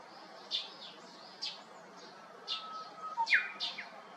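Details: Japanese bush warbler singing from a cypress beside an empty house on 7 May 2021: a level whistled note ending in a short, rising, tumbling flourish, amid frequent high chirps from other birds.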